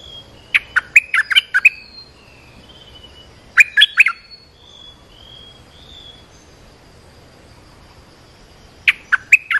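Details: Olive-winged bulbul calling, recorded for training juvenile birds and luring wild birds: three bursts of rapid bubbly chirps, the first longest, with faint softer whistles in between and long quiet gaps.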